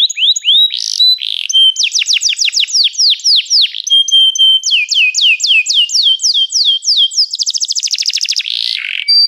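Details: Long canary song built from successive tours of repeated downward-swept whistled syllables at shifting pitches, each tour holding one note type, finishing in a fast, buzzy rattling trill.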